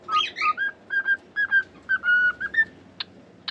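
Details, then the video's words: Domestic cockatiel whistling a tune of short paired notes and one longer held note, after a couple of harsh chirps, ending with two sharp clicks. "COCKATIEL SINGING!"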